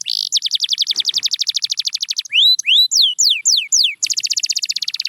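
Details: Canary song to wake up quiet canaries: a long buzzy trill, a few rising and falling swooping slides, then the rapid trill returns.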